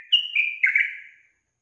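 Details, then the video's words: Female yellow-vented bulbul giving a short, lively call that draws males to reply: a single slurred, whistled phrase of three joined notes, clear and high, lasting about one second. "SUARA GACOR TRUCUKAN BETINA YANG BUAT JANTAN NGIKUT NYAUT GACOR"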